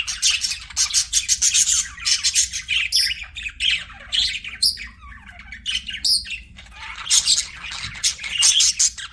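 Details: Pet budgerigars chirping in a group: dense overlapping squawks and warbled chirps in bursts, loud and high, with short quieter gaps between flurries, likely indoors.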